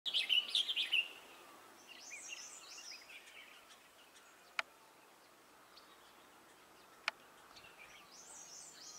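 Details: A group of Himalayan bulbuls perched on a wire beside a green roadside near Shimla, Himachal Pradesh, 8 May around 12:40 pm: a loud burst of quick, bubbly chirps, then fainter high twittering phrases from nearby birds, with two sharp clicks.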